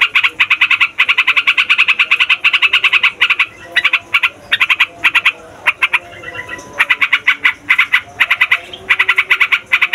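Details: Sooty-headed bulbul singing noisily and at length, a lure for trapping wild birds and a tutor for young or flocked birds: dense strings of rapid, scratchy chirps, with a quieter jumbled stretch midway before the fast runs resume.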